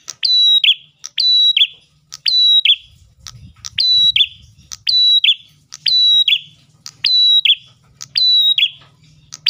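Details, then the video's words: Ash tailorbird lure song for attracting other tailorbirds: a steady series of tick, bright held whistle and rasping descending note, near one phrase per second, with low rumbling and hum in the background. "PRENJAK GACOR pancingan burung prenjak lain"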